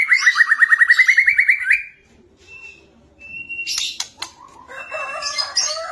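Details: Energetic fighting song of a champion caged white-rumped shama, used for training birds: a fast rattling trill of evenly repeated rising notes, then quieter pauses followed by scratchy, mixed high chatter.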